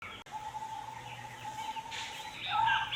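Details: A nocturnal Jerdon's nightjar (Caprimulgus atripennis) at NBG, Mirpur, Dhaka, Bangladesh, on 12 May 2025 holds a steady, unbroken mid-pitched churr for nearly three seconds, with faint chirps of other birds and a low hum.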